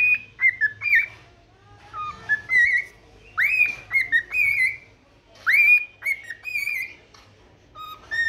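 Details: A pet cockatiel's morning song of clear whistles, each phrase opening with a sharp rising swoop followed by several shorter level or falling notes, repeated in three phrases.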